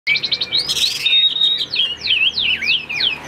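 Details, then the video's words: Caged Chinese hwamei of the tam hoàng type sings a fast, varied phrase: a long rising whistle, then bright notes swooping up and down, delivered in quick succession. "Họa Mi Tam Hoàng, Hót Hét Rất Ổn"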